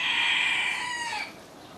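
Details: Tail of a rooster's crow during back-and-forth crowing between neighbouring homestead cockerels, believed to warn of passing rooks or jackdaws; a held, slightly falling note fading after about a second.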